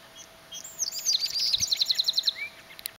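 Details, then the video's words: Chipping sparrow on a rainy day: a rapid, dry trill of about fifteen high, evenly spaced chips lasting over a second, followed by a short rising note, over a steady background hiss. "Chipping Sparrow Calling on a Rainy Day"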